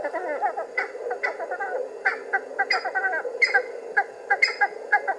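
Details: Cheer pheasant calling as it comes out of cover: harsh, buzzy notes repeated in quick irregular bursts, some doubled, over a steady low hum of background noise.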